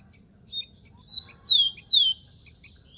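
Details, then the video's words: Close wild rufous-collared sparrow: a few thin lead-in notes, then two loud, sweet whistles gliding sharply downward, ending in faint high chips over low background noise. "BURUNG KICAU"SPARROW RUFOUS"(KICAU MANIA)Full Gacor di alam liar"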